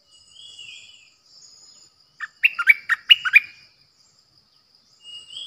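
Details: Decoy bulbul, recorded 8 May 2021, gives one short phrase of about six liquid, warbling notes that dip and rise. Thin high whistles come from other birds before and after the phrase.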